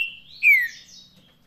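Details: Green-winged saltator, Paraná song style: a brief high whistle leads into one loud, clean note that slides steadily downward, then fades into soft overtones and quiet.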